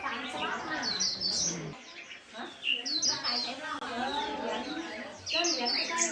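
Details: Chattering song of a white-eye (khuyên đùi nâu): bursts of high, sharp twitters and short trills, a brief lull near the middle, then renewed rapid chirping over a fainter, lower murmur.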